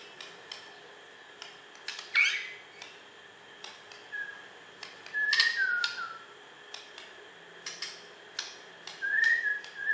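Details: Borneo white-rumped shama, a champion bird from West Kalimantan, Indonesia, giving sparse short whistles and sharp upswept notes separated by pauses, with faint clicking and tapping in the background.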